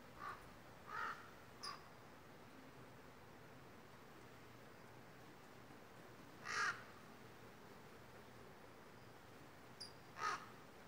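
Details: Crows in a redwood mountain forest, agitated by a nearby hawk, give scattered single harsh caws spaced several seconds apart, with high tinkling wind chimes ringing between them.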